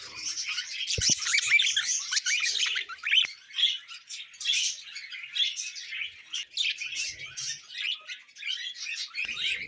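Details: Budgerigars warbling in bursts of busy chirping and squeaky notes that swell and fade, with one sharp click early on.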